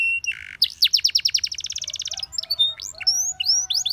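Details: Canary song used to coach other canaries: a short buzzy note, then a long rapid trill of descending sweeps, followed by scattered whistled upslurs and chips.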